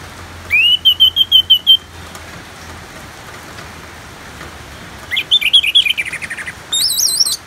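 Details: Orange-headed thrush (anis merah) singing in the continuous ngeplong style over steady natural rain. Clear whistled phrases with quick trills come first, then a falling warbled run and a final high, twisting phrase.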